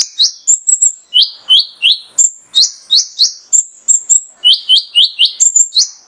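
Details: Male mangrove whistler in full song, used as a tutor recording to stir other caged birds into singing: rapid high whistled notes, bright downslurred and rising phrases alternating with thin level whistles, about three per second, clean background.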